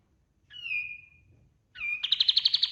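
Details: Kapas tembak, a white-eye, singing gacor for training other birds: a drawn-out clear whistle that slurs downward, a pause, a second similar whistle, then a quick rattling trill of bright notes.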